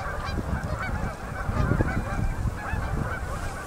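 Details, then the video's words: Migrating Canada geese arriving in great numbers on a river in Manitoba at sunset in fall; loud, close, overlapping honks over a steady background roar of the flock. "Endless Flocks Of Canada Geese Landing In A River In MB Canada"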